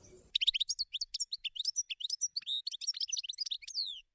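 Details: European goldfinch in the wild, a lively unbroken stream of tinkling, scratchy high chirps and trills lasting about four seconds after a brief low rumble at the start.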